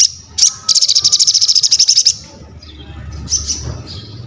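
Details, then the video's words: Crested jay (sogon), in energetic song, gives one sharp note, then a brisk rattle of about a dozen evenly spaced high pulses. Quieter scattered whistles follow over a low rumbling background. "SOGON GACOR UNTUK ASAH MENTAL, MASTERAN DAN PANCINGAN BUNYI"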